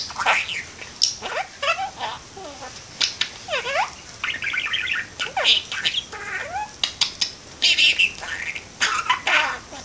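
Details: A pet parakeet perched by a window chatters on without stopping. Rapid buzzy warbles, sliding whistled notes and clicks, some sounding like mimicked speech, come in a dense stream over soft indoor background hiss.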